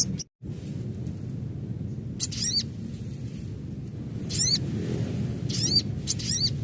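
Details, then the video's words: Natural recording of an adult crimson sunbird call: several brief, very high, zigzagging chirp bursts spaced a second or two apart, with constant low-pitched background rumble. "Panggilan SOGON Dewasa Asli"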